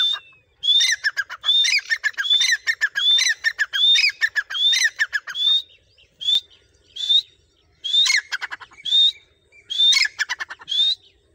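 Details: A tame, trained grey francolin calls when its owner whistles. It gives loud, harsh, high-pitched phrases about once a second in quick rhythmic bursts, with short pauses between series.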